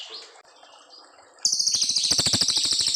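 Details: Long brown fulvetta song recorded as master material for young white-rumped shamas: soft twittering gives way to a loud, bright, fast-pulsed trill that holds to the end.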